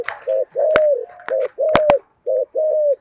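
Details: Giọng thổ coos from a decoy spotted dove: paired low notes, a short coo followed by a longer steady one, repeated about once a second, broken by sharp clicks and knocks.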